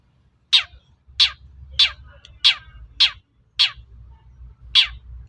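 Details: Long-tailed shrike, the local cendet, calling to provoke other shrikes to reply: seven harsh, rasping notes, each sweeping steeply downward, about one every 0.6 to 0.7 seconds, with a faint low hum beneath.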